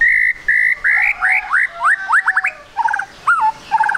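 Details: White-rumped shama song played as a lure to get birds singing quickly: loud whistled phrases, a run of rapid rising slurs speeding up, then twangy downslurred notes, strong and varied.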